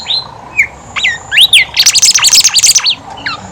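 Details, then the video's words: Lively Horsfield's babbler song for coaxing quiet birds into singing: a few clear whistles open a loud, dense chattering burst of rapid, overlapping high notes that fades to single whistles. "BIMOLI/KANCILAN EMAS GACOR COCOK BUAT PANCINGAN BIMOLI MALAS BUNYI"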